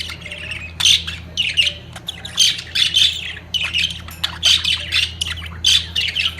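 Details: Budgerigars at the height of mating squawk loudly and repeatedly, harsh rasping bursts roughly every half second mixed with chirpy warbles, over a steady low hum.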